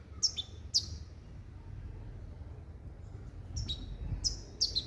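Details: Male goldfinch × female canary hybrid, trained in a limpio song style based on goldfinch calls, 2021. Sparse, sharp high chirps come in pairs and small clusters with gaps between, over a steady low background hum.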